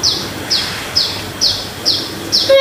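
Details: Common myna (Acridotheres tristis), described as a talking myna, gives six sharp, high, down-slurred chirps about two per second, followed at the end by a brief low humming voice.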